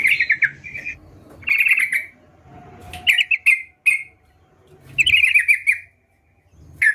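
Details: Sooty-headed bulbul giving gacor song as separate short bursts of bright, quickly repeated chirps, each lasting under a second, spaced by quiet gaps of about one second.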